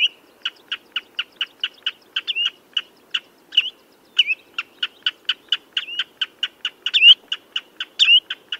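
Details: Common redshank calling: a steady series of short, sharp piping notes, about one per second or faster, with occasional slurred, rising whistles mixed in. The background is quiet apart from a faint low hiss.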